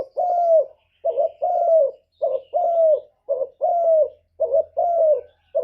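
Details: Spotted dove decoy calling to draw wild birds to coo back. Steady run of low, hollow coos in pairs, each a brief note followed by a longer falling one, repeated about once a second.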